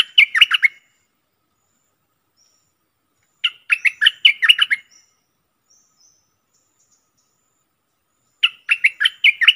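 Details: Repeated bulbul song, 24 October 2021: brisk phrases of rapid, liquid chirping notes about every four seconds, three phrases in all with clean silence between them.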